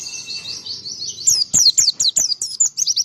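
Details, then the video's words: Oriental white-eye song meant to set other white-eyes singing: a high warbling trill breaking into a rapid series of loud, sharp, downward-sweeping chirps. "Pleci Gacor Ini Memancing Pleci Lain Jadi Nyaut Bunyi"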